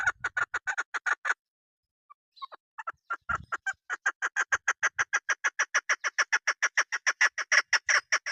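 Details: Female chukar partridge (keklik) call used by hunters, from a local mountain bird. A rapid chuck series breaks off, resumes with scattered notes and a brief low thump, then runs long and fast to the end.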